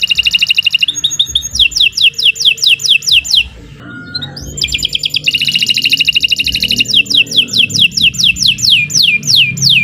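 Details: Canary in continuous gacor singing, mixing dense buzzy rolls with runs of sharp down-slurred whistles, with a brief lull midway over low background rumble.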